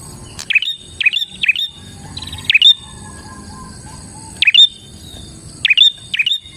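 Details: Prinia song made of loud, high chirped notes that drop and then flatten into a short tone. The notes come singly or in quick groups of two or three, separated by pauses, with a soft high hum behind.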